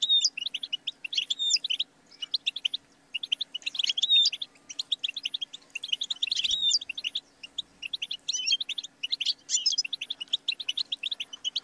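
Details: Goldfinch song played for training and stimulating songbirds: rapid, bright twittering phrases of short chirps and liquid tinkling notes, with occasional sharp sweeping whistles, delivered in bursts separated by brief pauses.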